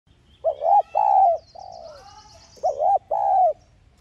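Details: Spotted dove lure call in the thúc gù style, used to stir caged males into cooing: paired low hollow coos, a double-humped note followed by a longer falling one, given twice with a softer faint note between.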